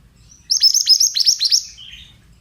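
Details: Pied bushchat lure song for young birds: a rushed, jumbled run of high twittering down-slurs lasting over a second, ending in a softer buzzy trailing note.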